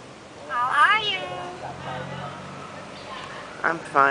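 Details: Talking common hill myna greeting people at a house in Hua Hin, Thailand: a loud, speech-like rising and falling phrase, quieter voiced murmurs, then two short sharp syllables at the end.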